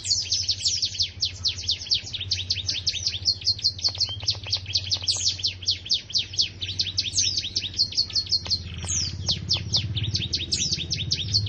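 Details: Canary in full, energetic song: long, fast rolling trills of high whistled notes with quick downward sweeps, continuous throughout, over a low background hum.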